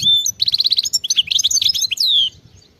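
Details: European goldfinch of wild stock giving field-style song: a quick series of repeated chipping notes, then liquid twitters and a long downward-sliding whistle.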